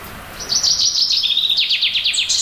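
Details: Territorial song of a Eurasian blue tit, early April in a spring woodland and garden, the bird nesting in a tree hollow. Thin high whistled notes run into a fast, descending, slurred trill of about ten repeated notes.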